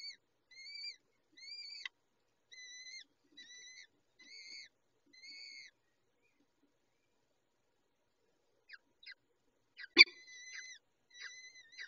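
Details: Peregrine falcons at the nest during a chick feeding: a run of short, high whistled calls in quick series, then a pause, a few dry clicks, one loud knock and more thin whistles.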